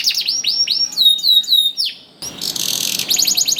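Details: Canary in full song, played to prompt canaries that seldom sing: quick series of high downward-curved whistled notes, a brief pause, then a burst of hissy sound and renewed fast trilling.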